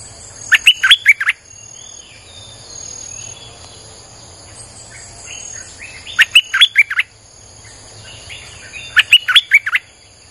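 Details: Streak-eared bulbul singing as a lure for wild birds: three bubbly phrases of four to six quick chirps, about every four seconds, between stretches of soft buzzing insect-like hum.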